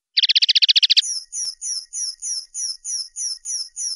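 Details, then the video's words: Common linnet singing: a fast buzzy trill of about a dozen notes, then high paired notes repeated roughly four times a second in a steady series. "Chant De Linotte"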